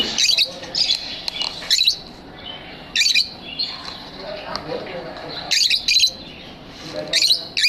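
Lovebirds give bursts of shrill, high chirps and squeaky twitters, coming in short clusters every second or two with brief pauses between.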